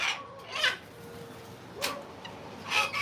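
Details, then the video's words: Wild Sulphur-crested Cockatoos in a flock at sunset after torrential rain give three harsh, raspy, loud screeches about a second apart, excited as they work out who takes off first for the night, over quiet hiss. "Cockatoo Squawk"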